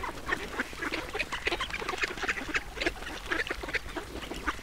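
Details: Duck sounds while feeding: dense, uneven chatter of brief raspy notes packed closely together, some louder peaks standing out over a constant low hum.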